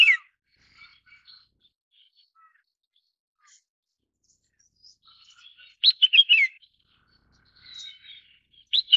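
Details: Red-whiskered bulbul calling: a bright, sharp chirp at the start, a quiet stretch with faint scattered twitters, then a quick burst of loud warbled notes around six seconds, followed by soft chatter and one more sharp chirp.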